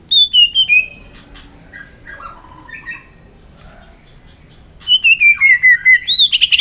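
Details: White-rumped shama in competitive singing. A clear, high whistled phrase slides downward in a series of wavering notes. Softer, lower twitters follow in a quiet middle stretch, then the bright descending whistle returns strongly.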